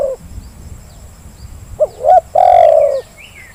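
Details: A lure recording of a spotted dove: faint faraway chirps, then a brief coo, a second rising coo and a sustained vibrating coo lasting about half a second.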